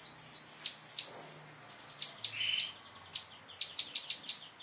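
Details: Prinia practising rapid song: scattered high, sharp downslurred chirps, then a short buzzy trill and a final quick series of five ringing notes.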